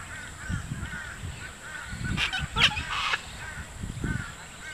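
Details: Wild sulphur-crested cockatoos on a lawn at Sherwood Arboretum at dusk, in a group of about thirty apparently squabbling over a stick, give harsh, raspy screeches in a short burst midway over softer squawks, a steady high insect hiss and low wind rumble.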